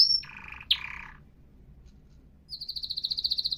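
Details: Canary song fragments: a brief high whistle, two short buzzy rattles, a pause, then a bright evenly pulsed high trill building in volume.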